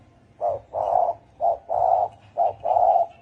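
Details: Deep 'thổ ồm' coos from a spotted dove: three rapid pairs of a clipped hoot leading into a drawn-out, rounded coo. Each pair is roughly one second apart, with little else audible.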